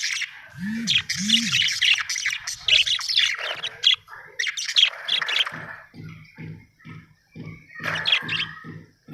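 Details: Happy pet budgerigar chattering and chirping in quick scratchy, buzzy phrases with warbled twitters, pausing briefly then resuming, over regular low thumping pulses in the background.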